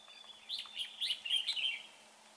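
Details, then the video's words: Red-whiskered bulbul in a trapping setup delivering a bright, clear warbled phrase of quick rising and falling whistled notes, loud and close, ending cleanly. "Bẫy chào mào bộ đẹp. giọng hay"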